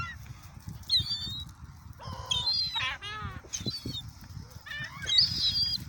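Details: Gulls squabbling while being fed at Oyster Bay: raspy, laughing bursts of rapid repeated notes, shrill squeals and a few downslurred mews, over faint low background rumble.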